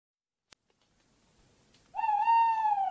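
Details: Tawny owl call: after a faint click and near silence, a single drawn-out, harmonic-rich note arrives, steady and slightly wavering for about a second, then fading at the end.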